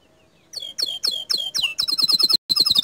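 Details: Gacor dor canary: a quickening series of sharp down-sweeping chirps merges into a rapid, high tinkling trill with one short break.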